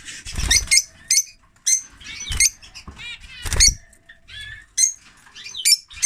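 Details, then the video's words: A male lovebird, whose mate died after laying eggs in winter, gives shrill, scratchy chirps in short bursts, mixed with low thumping and rustling sounds. "Love Bird singing (Lovebird)"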